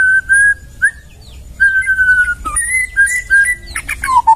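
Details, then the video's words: Wild white-rumped shama in forest, singing varied mellow whistles: long level notes, some slurred upward, pausing and shifting pitch, closing with a tangle of quick sharp chips and a falling whistle. "Masteran murai suara asli dari hutan"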